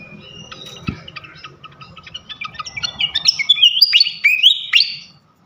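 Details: Flycatcher song used as a lure to provoke other flycatchers: high chirps and short notes building into a faster run of sharp rising and falling whistles toward the end, with a faint low hum underneath.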